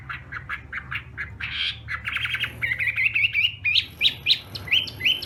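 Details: Chinese hwamei doing morning voice training for a singing contest. It opens with harsh, buzzy chattering notes, then moves into a series of rising whistled slurs, each about half a second apart, with background noise throughout.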